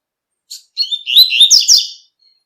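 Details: Double-collared seedeater song in the tui tui style, recorded in nature: a brief high note, then a rushing phrase of slurred whistles and twittering trills that fades after about a second.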